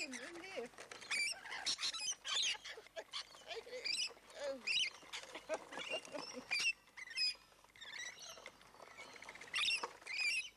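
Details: A large flock of rainbow lorikeets at Lane Cove National Park keeps up a continuous clamour of piercing, raspy screeches and chatter, with a person's voice briefly audible at the start.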